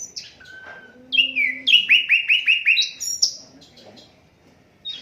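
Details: Asian brown flycatcher song, a real unedited recording used for tutoring songbirds: clear whistled notes, then a fast run of about six descending slurred chirps, followed by high thin whistles, with a faint low hum beneath.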